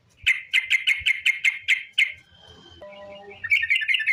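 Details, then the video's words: Sooty-headed bulbul long lure song to prompt other bulbuls to sing: a series of sharp repeated chirps at a steady pace, a quiet gap with faint tones, then renewed rapid chattering. "TRUCUK Gacor ROPEL PANJANG pancingan trucuk agar BUNYI"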